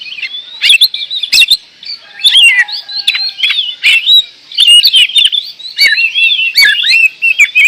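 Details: Oriental magpie-robin, called kacer, from Indonesia singing 'gacor door'. Long, varied phrases of twisting whistled notes are punctuated by loud clicks. The song flows steadily with brief lulls.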